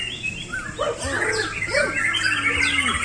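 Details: A kept White-rumped Shama singing from one spot with little movement pours out a rich, varied song of quick whistled and slurred notes, rising and falling, over a steady low hum.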